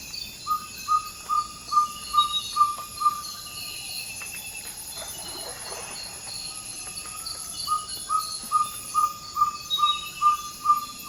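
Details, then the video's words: Ferruginous pygmy owl giving its territorial advertising call before dawn in the Ecuadorian Amazon rainforest: a steady series of short, pure 'toop' whistles, about two per second, with a brief pause midway, over constant insect buzzing. "Ferruginous Pygmy Owl Call & Sounds"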